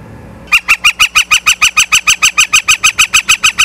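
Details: Osprey at a Charlo, Montana nest on 9 September 2023 at 18:51, from a live nature cam: after a quiet start, a very regular, loud series of about seventeen high whistled chirps, about five per second, evenly spaced.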